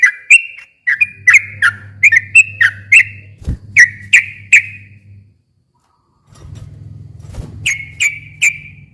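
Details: Yellow-vented bulbul lure song meant to make a silent bird sing back: runs of clear rising whistles, a pause with only low humming and a thump, then three more whistled notes.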